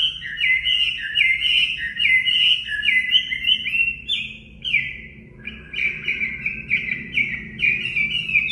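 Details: Chinese hwamei ('Họa Mi mộc') singing for voice training: rapid runs of repeated looping whistled notes, a brief pause, then another fast series of rich, rolling whistles.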